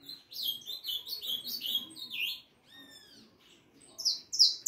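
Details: Young harlequin saffron finch, four and a half months old, singing a lot: fast runs of high chirped and trilled notes, a few sweeping whistled slurs near the middle, then a loud burst of bright notes at the end.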